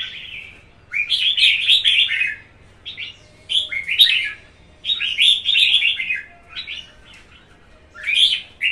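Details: Male red-whiskered bulbul of 1.5 seasons singing competition song in lively bursts of rich, warbling phrases about a second long, with short pauses and a low hum behind.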